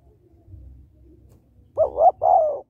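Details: Single coo phrase from a female spotted dove luring males: two quick mellow notes and then a sustained, gently falling coo, after faint low rumbling.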